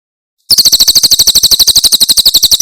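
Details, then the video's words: Javan prinia singing in the Cililin tembakan style, clean recording for training captive songbirds: a sudden start into a dense, fast run of high, metallic, buzzy notes. "Masteran Tembakan Cililin SUARA SUPER JERNIH"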